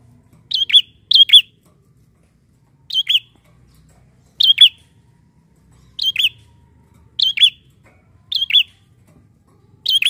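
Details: Bar-winged prinia lure call: sharp chirped notes around high pitch, usually in pairs of two quick downward-swooping chips, repeated at irregular intervals of one to two seconds, with a clean quiet background.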